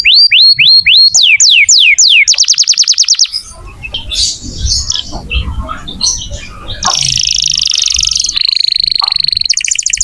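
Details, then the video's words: Vigorous canary song for encouraging young or stalled canaries to sing. Repeated falling whistles and a quick trill open it, followed by softer mixed chirps, then a buzzy tour, a held whistle and a rapid trill. "Kenari gacor untuk pancingan kenari muda atau macet bunyi"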